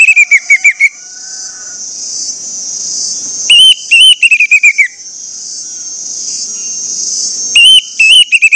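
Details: Orange-headed thrush lure song for getting other orange-headed thrushes to sing: brief groups of rapid clear whistles, a wavering downward-slurred series, then long pauses filled by a steady high hiss before another short burst.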